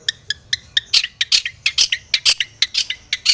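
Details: Long-tailed shrike, aggressive and seeking a rival, giving harsh scratchy notes about every quarter second, with some louder and some softer, in a steady chattering series.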